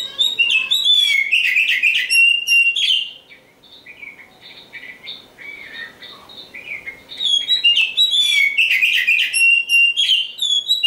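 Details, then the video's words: Oriental magpie-robin, a champion songbird, pouring out rich, varied whistles and sharp chirps in two loud bursts, with a quieter run of softer phrases between them. "suara burung kacer"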